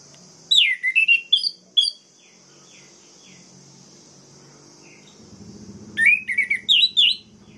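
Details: Orange-headed thrush song to provoke other males: loud varied whistled phrases with sliding notes, a pause with faint softer notes, then another rapid run of whistles, over a steady high insect-like hiss.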